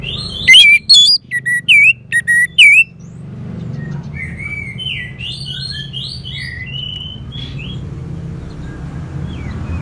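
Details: Orange-headed thrush song: loud, sharp whistled phrases with quick upslurs and downslurs for about two seconds, then quieter warbled notes over a steady low hum.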